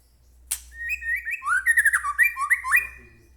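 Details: Murai batu, the white-rumped shama, delivering a rich, rapid phrase of liquid whistles that leap up and down in pitch, opened by a sharp click, over a low hum. Intended to rouse other shamas to sing.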